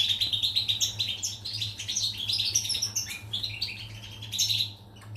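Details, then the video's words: European goldfinch, a pied bird, recorded 14 July 2019: rapid liquid twitters and chirps run together, fading near the end, with a constant low hum underneath. "Chardonneret , El jilguero,bird , cardellino pezzato"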